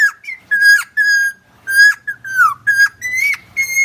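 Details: Helmeted friarbird, the koak kaok of Nusa Tenggara, used as training audio for captive birds: strong nasal whistles, some level, some sliding down or sharply up, in irregular pairs and singles, with a soft low drone.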